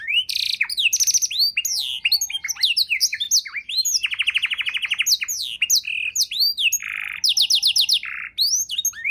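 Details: Canary song used as a tutor recording for training songbirds: rich, fast varied phrases of sweeping whistles, buzzy rolls and rapid repeated trills, all high-pitched and loud, with no other sounds.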